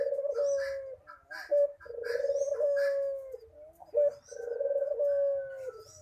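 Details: Ringneck dove (puter) in manggung cooing style: long, low, steady coos repeated about every two seconds, each with a short accented note and a slight fall at the end. Faint chirps of other birds sound in the background.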